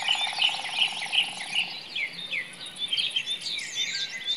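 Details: In a forest, a common nightingale delivers a series of sharp, ringing whistled notes, about three per second, then shifts to varied slurred phrases; a low pulsing buzz, other songbirds and a high insect drone fill the background.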